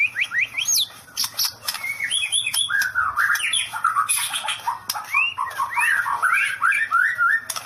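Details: White-rumped shama singing in the style called "sambaran listrik" (electric strike): a fast, varied run of loud whistled notes, rising and falling slurs and sharp clicks, with high chipping accents between phrases.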